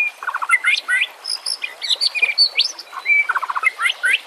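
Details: Lure recording of White-rumped shama song for training birds that will not sing, with nature sounds and flowing water: rapid chattering bursts and stuttered note clusters mixed with sharp rising whistles and high thin notes.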